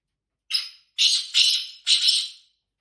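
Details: Call of a female black francolin, given to excite males. Four rasping, noisy notes: a short first one, a gap, then three longer harsh notes, the last two nearly joined, ending in silence.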